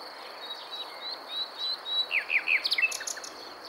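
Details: Common nightingale singing near Montana, Bulgaria, on 23 May 2020: soft thin whistles, then a quickening run of short downslurred notes and chirps, with a steady high insect-like hiss behind.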